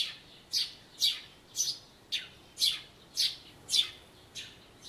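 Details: Eurasian tree sparrow spring chirping recorded 2 April 2013 beside a birdbath where a white-eye bathes; a regular string of loud, high, slightly buzzy chirps, about two per second, nothing else prominent.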